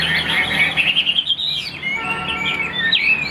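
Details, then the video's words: Hobbyist's caged Chinese hwamei giving a long sliding whistle that glides downward, followed by sharper upswept notes and a trill-like flourish. "Tốc độ mỏ quá ok, đầu mặt đẹp chất giọng cực kỳ hay | Họat Họa Mi"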